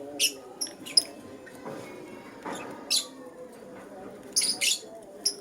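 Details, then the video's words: Lutino lovebird in the morning giving piercing, buzzy chirps, single or in rapid clusters of two or three, with quiet gaps between, over a faint low hum. "Lutino LoveBird Chirping Sounds"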